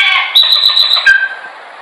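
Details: Chopi blackbird song recorded for training: a loud, steady high whistled note held for most of a second with sharp clicks over it, then a lower fading whistle, in a small room.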